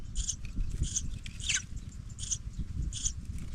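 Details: Pipit babies going out of the nest: five short hissing high bursts, spaced over a few seconds, with a thin descending note in the middle and low background rumble.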